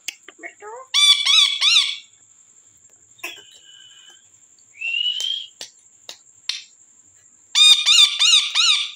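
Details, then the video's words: Pet parrot giving funny talking sounds: bursts of stacked, harmonic-rich squawky syllables, a few drawn-out rising whistled notes in between, and a steady high background tone throughout. "Twins parrot funny talking"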